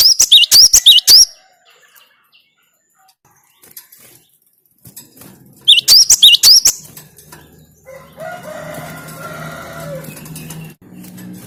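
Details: Cinereous tit (gelatik batu) giving two short bursts of high whistled notes separated by a long quiet stretch, followed by rustling, clattering noise and a low steady hum.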